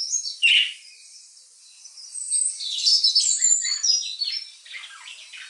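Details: Pet budgerigars reacting to unfamiliar birdsong played to them: high, scratchy warbles and quick chirps tumbling over each other, mixed with bursts of the other birdsong.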